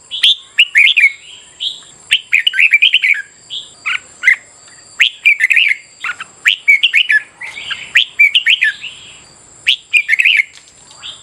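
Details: Red-whiskered bulbul singing in the morning, played to train caged birds and stimulate competitive singing; bursts of bright, chattering whistled phrases, rising and falling, in quick repeated groups separated by short pauses, with a steady high hum behind.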